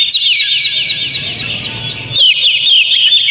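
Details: Oriental magpie-robin song used as a lure to make other magpie-robins sing: dense, rapid whistled phrases and trills with sharp upslurs, a brief softer gap, then loud continuous warbling again.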